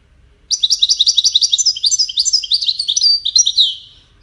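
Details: European goldfinch song in the Widani style, played so goldfinch chicks hear and learn it: a rapid, bright twittering of high repeated notes and short trills, about three seconds long, ending in a few drawn slurred notes.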